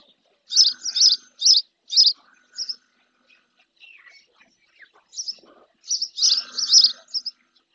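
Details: Female spotless starling bathing in a lagoon near its nest in the Doñana National Park marshes at El Rocío, Andalusia, Spain, filmed by a fixed camera; bursts of high, harsh chirps in quick runs, a pause midway, then a denser cluster.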